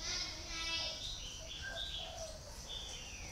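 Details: Captive decoy red-whiskered bulbul (Pycnonotus jocosus), used to lure wild birds, gives a quick run of bright, warbled whistles, rising and falling, with a faint hum and possible voices behind.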